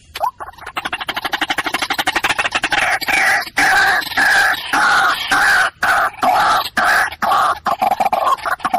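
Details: Water hen calls used for hunting, a dense, fast run of harsh, overlapping notes around a rising tone, kept up without pause for about nine seconds.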